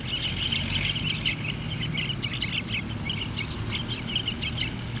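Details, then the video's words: Yellow-vented bulbul chicks being hand-fed, giving rapid high chirping begging calls in quick bursts, strongest in the first second and a half, then scattered thinner chirps over a low background hum. "Suka duka meloloh anakan trucuk an"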